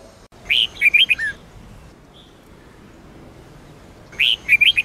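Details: Sông Kôn red-whiskered bulbul singing for daily training of other bulbuls: a lively phrase of chirpy, twisting whistles, a silence of about three seconds, then the same bright phrase begins again.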